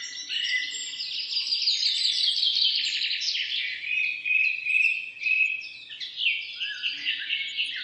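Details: Dawn chorus of many wild birds beside a road in the middle of a forest, high twittering, trilling and warbled phrases overlapping continuously, sharp chirps and rapid trills layered over one another with no pauses throughout.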